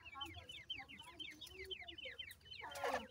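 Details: Irani teetar chicks, the brown young of the Iranian partridge, cheep in quick falling notes while being fed, with faint low clucks and a brief rustle at the end.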